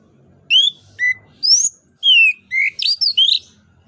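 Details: Orange-headed thrush, known locally as anis kembang, singing in full voice as a lure to stimulate other birds: clear whistled phrases, some rising and some falling, in about seven separate notes, with a faint low hum beneath.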